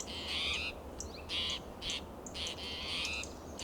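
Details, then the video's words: Persistent alarm from an agitated spotted towhee among coast live oak and Monterey pine, Del Monte Forest, California, in June: five short, buzzy, scratchy calls in under four seconds, fairly even spacing, steady low background noise. "Agitated Spotted Towhee Sounds Alarm"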